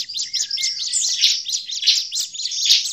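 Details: Agitated Bar-winged prinia calls for luring prinias: a steady run of high tinny chirps about five per second, with harsher emphatic notes recurring through the three seconds.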